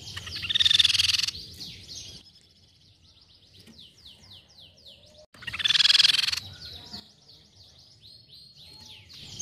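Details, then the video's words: Silver-cheeked babbler, used as a lure call: loud, harsh churring bursts about every five seconds, each followed by a quick run of high, thin downslurred notes. "PANCINGAN BUNYI TEPUS PIPI PERAK"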